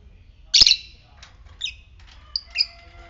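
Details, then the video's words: Fighter lovebird giving ngetik calls, played as a lure to stir other lovebirds into ngekek: one loud, sharp, high chirp, then a few fainter clipped chirps and thin whistled notes spread over three seconds. "Pancingan lovebird ngetik fighter merangsang ngekek"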